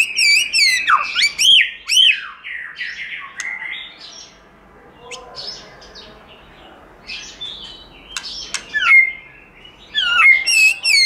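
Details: White-rumped shama singing in forest voice: loud looping whistles and rapid slurred notes, a quieter stretch of softer varied warbles, then strong downslurred whistles returning near the end.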